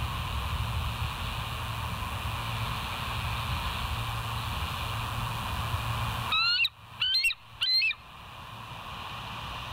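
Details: Wild bald eagles at the West End nest, 9 September 2023, mid-morning: after steady background noise, three short bursts of high, shrill chittering notes follow in quick succession.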